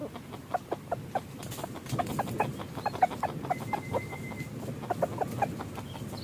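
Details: Red junglefowl decoyed in forest for hunting; a steady run of brief clucks at roughly two per second, with a thin whistled tone held for a moment midway.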